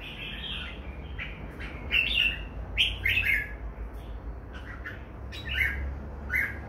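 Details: Two red-whiskered bulbuls giving mellow, slurred chirps and short warbled phrases, some notes doubled, spread through the stretch over low-pitched background rumble.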